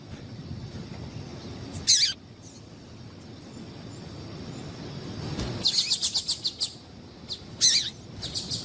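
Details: Female yellow-bellied seedeater (papa-capim) call, used to excite males into singing; a short high chip near two seconds, then a run of sharp high chips in quick succession after five and a half seconds, over low steady background hum.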